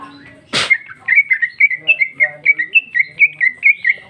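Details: Female greater green leafbird (cucak ijo) in loud, rich, free-flowing song, 2021. One sharp harsh note, then a rapid even string of about fifteen short whistled notes, five per second.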